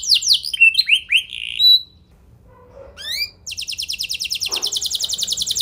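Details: Canary song used as a lure to prompt other canaries to respond: rapid downward-sweeping whistled notes, a held high tone, brief pause, then a fast even trill of repeated high notes, with a faint low rumble throughout.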